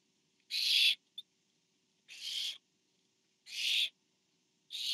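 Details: Parent barn owl delivering food to owlet number four at a nest camera on 24 September 2015. Four harsh hissing bursts, the last cut off, with one tiny click after the first.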